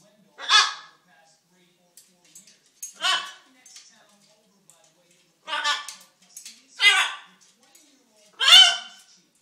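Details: Pet macaw, hungry and wanting attention, producing five short, sharp, bright vocal bursts at irregular intervals of one to three seconds, with occasional tiny sounds between them.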